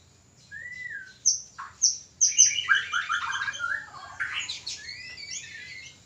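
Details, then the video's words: Breeding-stimulation song of a caged white-rumped shama: a single low whistle, sharp high chips, then a rapid rattling series of stepped notes followed by sweeping whistles. "Pancingan ampuh murai kawin ||Terapi burung murai susah birahi dan kawin."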